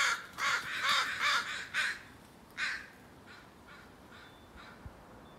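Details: Crow calling in a garden: a run of rough, grating caws delivered rapidly, several overlapping in the first two seconds, then a single louder caw and a few fainter distant caws fading out.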